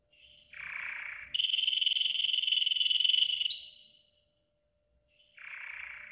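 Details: Golden canary, yellow, giving training song. A low burry phrase leads into a loud, steady, rich roll lasting about two seconds. A pause follows, then a softer burry phrase.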